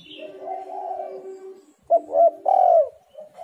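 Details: Spotted dove cooing as a lure to make doves call: a long soft purring coo, then a crisp phrase of short hoots ending in a loud drawn, falling coo and a fainter final note.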